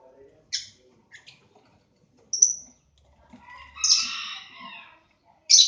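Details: Lovebirds in a breeding aviary in Aceh, Indonesia: sparse, sharp, shrill chirps in short bursts, then a longer harsh, buzzy screech near the four-second mark and a final loud squeak at the end.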